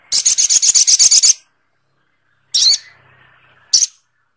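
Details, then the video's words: A rapid chattering series of about ten harsh, high notes from a Sogok ontong bird, followed after a pause by two more scratchy single bursts. "Suara Burung SOGOK ONTONG"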